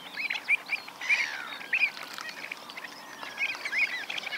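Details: Avocets at Pennington Marshes, Hampshire, in June 2024 give short, clear, fluty 'kluit' notes in loose bursts, several birds calling over one another, with a busy background of other bird chatter.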